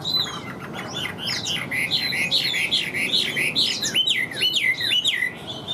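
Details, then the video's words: Vietnamese Chinese hwamei singing hard and evenly: loud, fast, looping whistles repeated in quick succession, bright and high, with brief swooping slides toward the end. "Họa Mi Hót Như Máy, Điện Đóm Căng Ra Giọng Đều"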